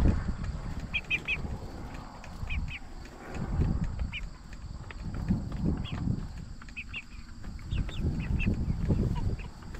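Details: Flock of 44-day-old Jumbo Cornish Cross broilers raised for meat; brief high chirps come in small clusters of two or three every second or so, over constant low rumbling and rustling.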